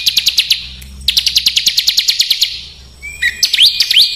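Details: Burcil besetan master song for coaching caged and contest birds in coarse phrases: quick bursts of high ticking notes over a low hum, ending in rising, squeaky whistles.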